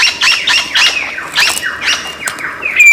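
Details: Lyrebird, an Australian forest mimic, repeating loud harsh downslurred squawking notes about three times a second, ending with a clear high whistle.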